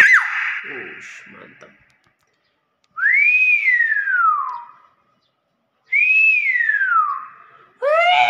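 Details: Talking common hill myna repeats an arched whistle twice, each climbing then slurring down over about two seconds, with a short voice at the start and end.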